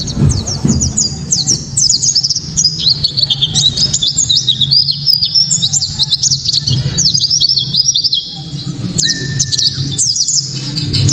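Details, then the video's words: Long, very loud white-eye 'tembakan' song, played to provoke other white-eyes and to tutor songbirds: dense, jittery high twittering in continuous rapid runs with short gaps, one steady whistled tone near the end, low hum beneath. "Pleci kaca mata‼️tembakan‼️penuh sensasi‼️ pleci bakalan ❓ pasti langsung ikut Gacor"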